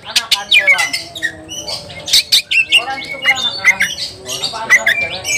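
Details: Heated Oriental magpie-robin looking for a rival: a dense, continuous stream of harsh, squawky, scratchy notes mixed with short whistled chips, delivered almost without pause.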